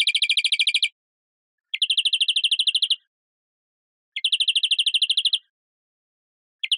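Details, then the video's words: European greenfinch delivering repeated rapid trills, each lasting about a second, separated by pauses of roughly one second, with a fresh trill starting at the end; otherwise quiet. "Carduelis Chloris Verderon song"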